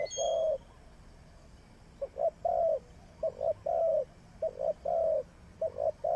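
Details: Trapping decoy spotted dove repeats its low coo phrase, two clipped notes and a sustained coo, about every second after an opening long coo, with a brief high bird note at the start.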